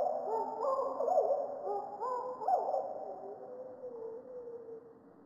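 Superb fairywren song played slowed down: a deep, warbling run of sliding whistled notes that trails off into a long, fading tone.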